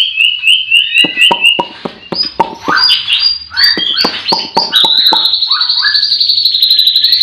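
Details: White-rumped shama singing in a breeding aviary in the morning among other singing birds. Opens with repeated clear whistled notes, then sharp clicks and varied slurs, ending in a long rapid high-pitched trill.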